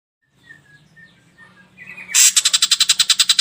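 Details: Ashy drongo, played as a lure to make other birds sing: faint soft notes at first, then a loud, rapid series of harsh buzzy rasps, about three per second.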